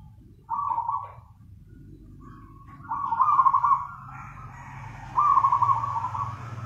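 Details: Zebra dove in full nganyer song, giving three purring, trilled coo phrases separated by pauses, with a constant low rumbling background noise.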